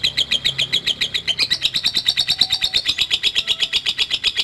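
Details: Lovebird giving a long ngekek, a continuous high chattering trill of rapid pulses, about six per second, steady and unbroken, rising slightly in pitch partway through, with no other clear sounds.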